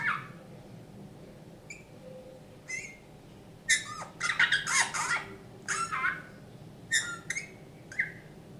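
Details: Rescued pet Eurasian bullfinch performing bullfinch folk songs indoors: thin piping whistled notes mixed with bursts of creaky, grating chatter, with a faint hum underneath.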